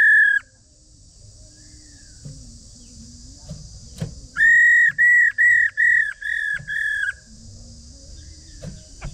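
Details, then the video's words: Chinese hwamei female call meant to provoke males to sing: one flat whistled note, a pause with faint clicks and knocks, then a run of six short, level, piping notes in quick steady rhythm. "Khướu mái ro kích trống cực mạnh/Kích là hót ngay/Tiếng khướu mái ro mới nhất"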